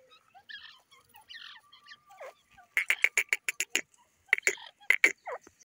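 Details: Teetar, the grey francolin: after a few soft scattered notes, two bursts of loud, harsh, rapidly repeated staccato notes, the second burst shorter and ending in a slurred note.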